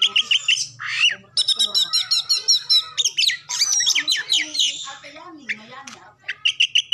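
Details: Oriental magpie-robin song played to make other birds sing, packed with mimicry: rapid rhythmic series of sharp ringing notes, whistled slurs and chatter, ending in a quick repeated trill.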